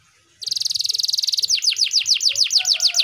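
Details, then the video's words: Singing canary. A fast, even, buzzy trill starts abruptly, then changes to loud, ringing downslurred whistles repeated about three times a second. "Suara Burung Kenari Gacor ampuh bikin Kenari macet bunyi lagi"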